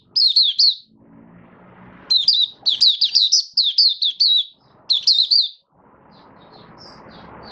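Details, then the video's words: High-pitched, fast twittering song from a Malaysian Oriental white-eye, a hobby bird being built into form, in several rushed bursts with gaps filled by soft low background noise. "Malaysian Mata Puteh - Buka Sing"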